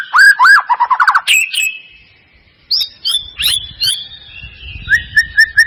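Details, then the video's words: White-rumped shama song used as a lure to provoke a reluctant caged bird into singing: bright whistled phrases, rapid rising trills, sliding notes, then short repeated whistles near the end, with a soft low rumble in the background. "Pancingan murai batu mancet bunyi ‼️ pancingan murai batu males bunyi‼️respon cepat"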